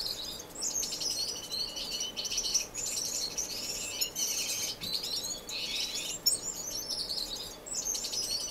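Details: Community aviary finches indoors in Edmonton, Canada, in March: continuous high twittering from many birds, rapid chirps and short trills running together in bursts, with brief dips between them.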